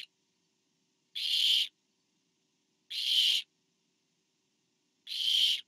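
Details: Barn owl at a nest cam on 24 September 2015 as a parent delivers food to owlet number four: three harsh, breathy hissing screeches, each about half a second long, spaced roughly two seconds apart, with silence between.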